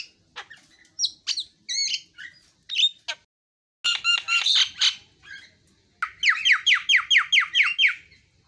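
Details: Javan myna, called jalak kebo, singing a varied series of harsh squawks and chatter, ending in a fast run of about ten repeated rising-falling buzzy notes, each under a second apart.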